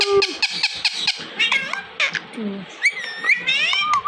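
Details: Talking Indian ringneck parrot indoors lets out rapid, sharp squeaks and clicks, then rising and falling squealing whistles, while someone repeats the same short word over and over.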